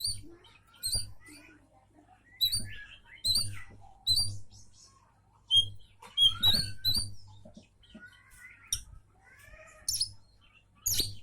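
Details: Oriental magpie-robin song meant to make other magpie-robins answer: scattered sharp high chirps, quick upward and downward sweeps and varied whistled phrases in short bursts with gaps, over a steady low electrical hum.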